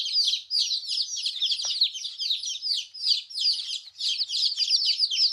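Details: Colourful chicks in a busy chorus of high, thin cheeping, with rapid downward-slurred peeps from many birds overlapping into a steady chatter. A faint knock is heard midway.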